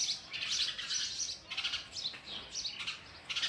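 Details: Begging sparrow chicks, fed oversized food by an adult, utter quick bursts of high, scratchy chirps in short clusters separated by brief pauses.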